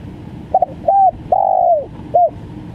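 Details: Spotted dove, stuttering 'gagap' call style: a short double note, a brief coo, a long drawn-out falling coo, then a short final coo, all low and hollow over a faint background hiss.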